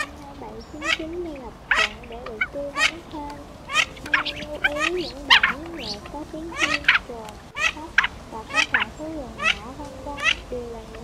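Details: Flock calls of male and female Mandarin ducks, played for night net trapping during migration; dense run of sharp, brief calls, many overlapping, with a wavering musical line underneath.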